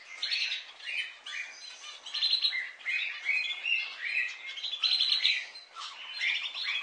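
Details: Budgerigars keep up a joyful, tumbling warble: rapid chirps, short whistled upslurs and buzzy trills overlapping in pulses for several seconds.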